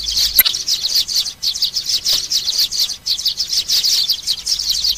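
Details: Young sparrows calling, used to entice birds down to glue traps. Thin, rasping chirps pour out in rapid clusters, broken by a few brief clicks and short pauses.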